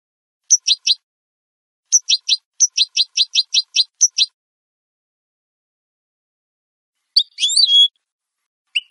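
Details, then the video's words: Goldfinch (European) singing cleanly, recorded as a tutor for captive birds. Repeated high descending chirps arrive in groups, then after a long gap a buzzy, drawn-out nasal phrase follows, and a final chirp. No other sounds. "Canto limpio de Jilguero"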